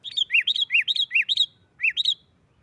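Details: Sooty-headed bulbul singing a loud 'nggaruda' fighting-style song used to provoke other bulbuls into singing: bright arched notes alternating high and low in quick pairs, a run of about ten notes, a short pause, then four more.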